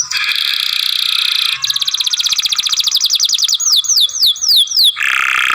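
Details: Masteran song of a young canary for song training, long grumbling sounds: a loud buzzy rasp, a fast rattling trill, a run of down-slurred whistles, and a closing harsh buzz.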